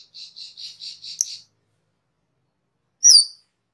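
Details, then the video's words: Cucak keling master recording for training cage birds: six evenly spaced high buzzy notes in a quick run, then a pause and one sharp, bright whistled note sliding downward. "SUARA MASTERAN CUCAK KELING/KERLING"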